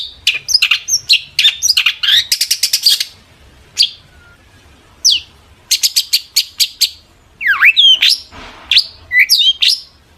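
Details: Long-tailed shrike singing hard to goad rival shrikes into answering: a fast rattling run of sharp chirps, a brief lull, then more chirp bursts and swooping whistled notes that dip and rise, with no other sounds.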